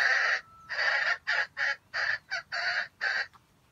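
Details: Trap bait bird, a red junglefowl, crowing in a broken, grinding stutter: a string of roughly eight harsh chopped syllables with brief gaps between them, over a faint low background hum.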